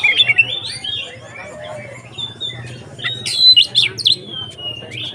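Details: Kacer (Oriental magpie-robin) bait song in the 'konslet ngeplong' style, meant to rouse other kacer: varied slurred whistles, a softer middle stretch, then sharp high chips and a long clear whistle, with a faint low hum.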